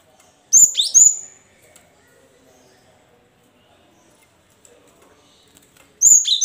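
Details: Cinereous tit song to stir reluctant caged birds: a bright two-note whistled phrase with a falling slur, a long silence, then the same phrase starting again.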